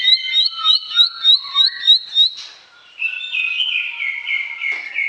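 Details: Bar-winged prinia song, a lure for silent birds: about eight loud, evenly spaced high chirps, a short lull, then a softer, rambling warble with thin lower whistles.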